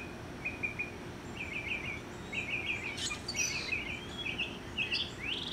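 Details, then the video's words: Mockingbird singing in a yard, perched about 30 feet up some 50 yards away: rapid stuttering triplets of chirps repeated in series, changing to varied slurred notes and a closing upslurred whistle, over faint steady noise. "Mocking Bird Serenade"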